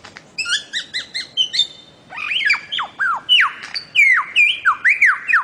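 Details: Bird-of-paradise song from Papua and the Aru Islands, Maluku, for training cage birds: stuttering ringing notes in quick rhythm, followed by a chain of loud falling whistles and squawks.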